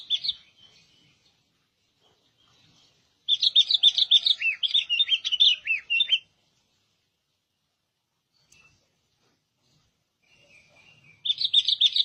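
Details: Albino sooty-headed bulbul singing bursts of quick, bright, bubbling chirps, each phrase lasting about three seconds and separated by long silent pauses in a quiet setting.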